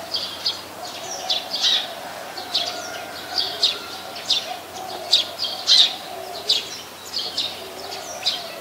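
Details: Brown-throated sunbird recorded in Ubon Ratchathani, Thailand, on 13 January 2021 with a Nikon P1000. High, thin chirps are repeated roughly every half second in short bright notes over a low background hum.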